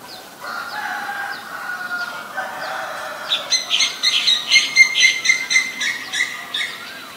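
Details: Female Asian koel giving a steady series of sharp, harsh notes, about four per second, that rise and carry on for several seconds, after a drawn-out rooster crow at the start.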